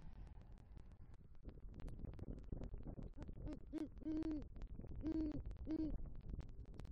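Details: Deep hoots from a male great horned owl calling his mate as he brings a rodent to the nest tree, Southwest Florida, November 2023; four strong, evenly pitched hoots follow a stretch of rustling.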